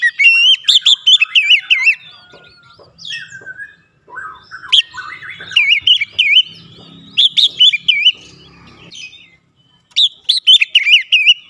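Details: Oriental magpie-robin (kacer) song played to stimulate singing: varied, rapid whistled phrases with wavering high notes and sharp chips, coming in bursts separated by short quiet gaps.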